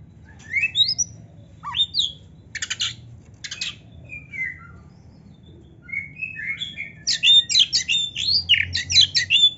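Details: Kacer (magpie robin) singing a varied song full of imitated phrases, used as training audio for pet birds: sharp rising and falling whistles, buzzy bursts and rapid chattering notes, ending in a quick repeated run of bright whistled notes.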